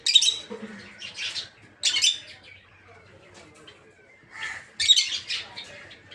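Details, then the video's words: Peach-faced, or rosy-faced, lovebirds kept for breeding in an aviary, including Red-Headed Green Opaline, Red-Faced Dark Green, Blue Rosy and Lutino birds. Harsh, shrill screeching chirps come in short bursts separated by quieter gaps. "Peach-Faced Lovebird's Sounds"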